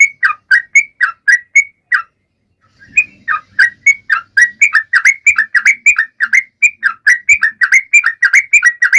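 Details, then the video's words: Sooty-headed bulbul singing to prompt birds that stay silent: a burst of bright chirps, a two-second pause, then a longer and faster tumbling series of clear notes. "Trucuan gacor!!mancing burung lain ikut bunyi"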